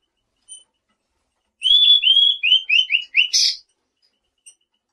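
A quick run of about seven bright, slurred whistles, the first drawn out and the rest shorter and upswept, ending in a harsh buzzy note, with faint chips before and after.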